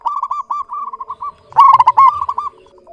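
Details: Soft, fast stuttered coos from a local zebra dove, then a loud rolling burst of clear, quick notes that tapers into gentler coos.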